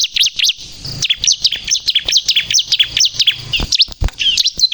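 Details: Singing bar-winged prinia (ciblek kristal), played as a trapping and provoking lure: high, sharp, slurred chirps in quick uneven runs with a few low thumps behind.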